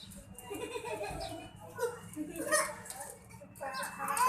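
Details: Talking Indian parrot repeating "Mian Mithu" in a hoarse, speech-like voice, several rough syllable groups with shifting vowel tones, ending in a louder, higher squawky phrase, low background hum throughout.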